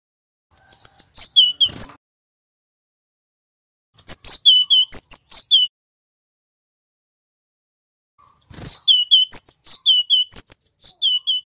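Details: Three separate bursts of rapid song from a male cinereous tit, local Javan wingko type, used as training and lure sound: high piercing chips and downslurred whistles, each burst lasting one to two seconds.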